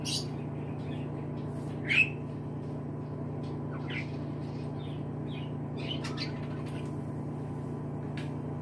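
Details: Budgerigars (Melopsittacus undulatus) give scattered short, bright chirps over a steady low hum.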